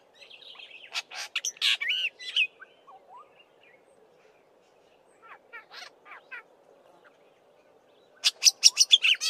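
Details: Black-bellied Starling singing and mimicking a Fork-tailed Drongo and other local birds; bursts of sharp high chips and whistled slurs, a quieter stretch of scattered notes, then a loud fast run of clicking chips at the end.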